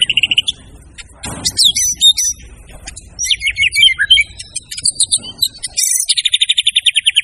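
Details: White-rumped shama in vigorous song, full of varied material. Jumbled chattering and slurred high notes build up, then a long, fast, evenly repeated trill closes the phrase.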